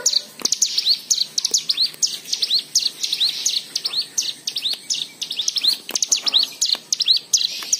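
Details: Lure song of a white-eye meant to get other birds singing: continuous, lively high-pitched twitter of short chips and rising slurred whistles, closely packed, with a few faint lower clicks.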